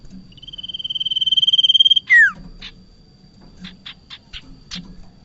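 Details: Trapping lure of a bar-winged prinia: a long, fast pulsed trill that grows steadily louder, then a loud descending slurred note, followed by a scattered series of brief harsh chips.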